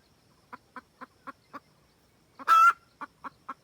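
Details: Wild red junglefowl hen calling a rooster, a lure for trapping: five steady clucks, one loud grating cackle, then three more clucks.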